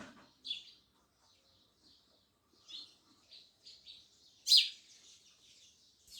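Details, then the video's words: Sparrows chirping, described as loud: scattered short, high chirps, mostly faint, with one sharp loud chirp near the end against an otherwise quiet background. "Sparrows Loud Chirping Sounds"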